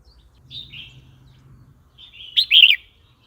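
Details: Red-whiskered bulbul song played to provoke other birds and teach young birds; a faint whistle near the start, then a loud burst of quick, bright, warbled notes late in the phrase.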